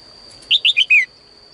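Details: Female bird singing in a cage in the morning, calling males to sing more: one quick phrase of four bright chirped notes, the last longer and sliding downward, over a steady thin high tone.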